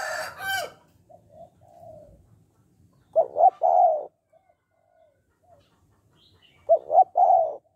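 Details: Spotted dove in "hạp bổi" voice, used to spur males to call quickly: a short harsh noise and soft low notes open, then two loud low coo phrases about 3.5 seconds apart, each two clipped notes and a longer coo.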